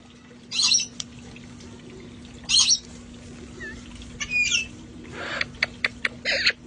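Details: Parrots from a rescue flock outdoors, enjoying themselves before the cold weather; harsh, noisy squawks in four short bursts about two seconds apart, then a run of quick clicks and a final squawk, over a steady low hum.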